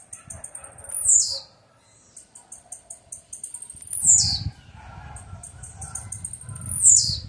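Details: Blue-black grassquit repeating its call three times: each time, a string of high, quick ticking notes leads into a sharp, buzzy, falling note. Low rumbling noise lies beneath.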